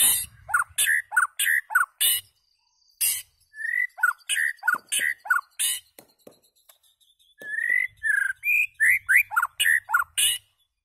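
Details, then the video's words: White-rumped shama in full song, fast strings of falling whistled notes mixed with sharp high clicks, two long bursts with a quieter gap midway. "White Rumped Shama calls and singing"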